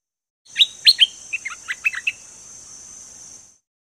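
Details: Bird song recorded for training birds, called dok taeng in Thai: a quick burst of loud, sharp chirps, then a run of shorter quieter twittering notes, over a steady high electronic tone.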